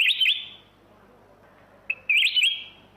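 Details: Two brisk, fluty, wavering song phrases from a black-crested bulbul, separated by nearly two seconds of quiet.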